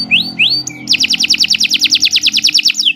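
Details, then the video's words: Canary song from a morning training recording for beginner songbirds: a few upslurred whistled notes, then a long, even trill of rapid bright syllables, with a faint low hum underneath. "Kicau Burung Kenari"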